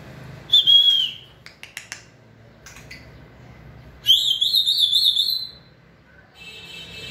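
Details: White-rumped shama in peak condition, 2020 season: a falling whistled note, scattered clicks, then a long, loud, rippling trilled whistle, ending with a faint buzzy note.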